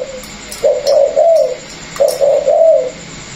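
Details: Captive Vietnamese spotted dove gives two soft, low cooing phrases, each a short note followed by three rolling hoots, with quiet indoor background noise.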